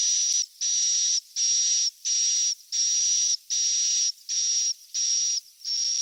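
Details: Swiftlet chicks calling, a sound meant to lure swiftlets into roosting: nine hissy, whistle-edged notes in a regular series, each lasting well over half a second and divided by short silences.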